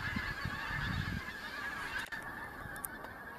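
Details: Pink-footed geese, first autumn migrants, arriving over the Kelvin Valley, North Glasgow, 25 September 2021: many overlapping honks with low thumping, then the chorus thins after a brief click.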